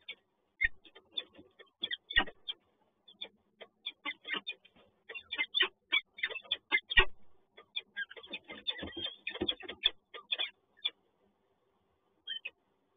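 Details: A male peregrine falcon at the PGE Toruń nest site in Poland, bringing food to the female over the day, gives harsh, clipped chips in rapid uneven bursts, sometimes running into quick chattering runs, then falls quiet near the end.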